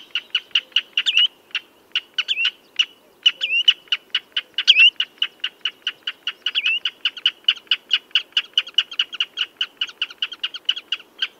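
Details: Common redshank calling: long rapid series of piercing piping notes, some grouped with short gaps, interspersed with several wavering slurred whistles, over a faint low hum.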